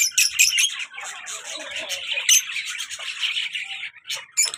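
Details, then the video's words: Lively pet lovebird pair, a colour male with a black-mask female: constant busy chattering of high, shrill notes with sharper squeaks standing out near the start and middle. "colour love bird male and black mask female beautiful sounds"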